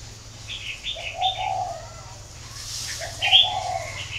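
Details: Spotted dove kept at a breeding farm in Ba Vì, northern Vietnam: two mellow, low coo phrases about two seconds apart, mixed with bright, high twittering from other birds and a faint hiss.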